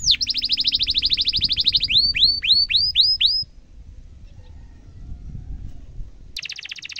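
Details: Canary song used as a tutor for young canaries to learn from, a long rolling 'cuit cuit' style: a fast buzzy trill of rapid repeated notes, then six upward-swept whistled notes, a brief pause, and another dense high trill.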